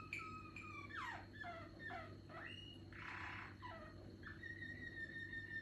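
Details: A young Malinois canary's maturing song: a series of whistled notes sliding downward, a short dense rolled burst, then a long steady whistle, with a constant low hum beneath.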